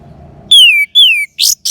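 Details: Orange-headed thrush (anis merah) from northern Bali, Singaraja: two clear whistles sliding downward, followed by two short harsh high scratchy notes, in near silence after a low murmur.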